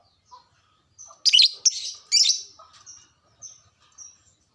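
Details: Aroused caged lovebird, its call meant to prompt other lovebirds to sing: three rapid harsh screechy bursts in the middle, bracketed by soft high squeaks and brief chirps before and after.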